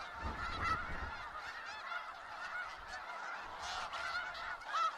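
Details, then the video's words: Many snow geese in Skagit Valley calling together, a busy layered honking chorus; a low rumbling noise runs under the first second, and a clearer single honk rises near the end. "Sounds of Snow Geese | Skagit Valley"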